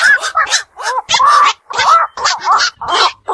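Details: Black-crowned night heron, a bird of ponds and wetlands that calls at night: loud, nasal, honking squawks in short bursts, some with a drawn-out wavering tone, about five calls in three seconds.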